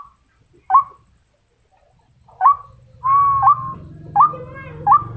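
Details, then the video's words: Female white-breasted waterhen calling for males, giving single sharp upslurred notes separated by pauses, with a brief steady tone midway and a low droning hum beneath. "นกกวักตัวเมีย ร้องเรียกตัวผู้ ร้องดีเสียงชัด"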